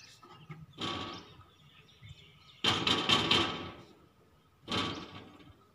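Three loud, harsh peacock cries about two seconds apart, each a brassy wailing burst under a second long, over faint background hiss.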